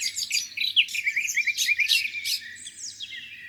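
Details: Birds singing at a lake on a spring morning: a quick tumbling series of bright whistled and chirping notes, several voices overlapping, fading into softer high twitters, with a faint low rumble.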